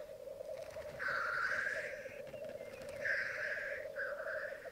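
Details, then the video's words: Black grouse at their spring lek on a Mykland bog, May 2022 morning, twelve cocks and two hens: low even bubbling with two drawn-out breathy hisses, the second followed by a shorter one. "Orreleik i Mykland, mai 2022"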